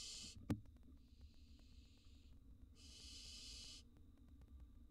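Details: Faint hissing rasps from wild barn owl chicks in a nest box during feeding, three short bursts with a quieter one between, one loud tap near the start and a steady low hum.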